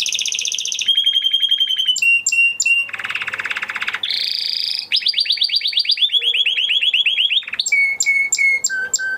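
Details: Crested Spanish Timbrado canary bred in 2020 and kept in a flock, delivering training song as a chain of rapid metallic trills that change speed and pitch, with buzzy rattles and short pure whistled notes near the end.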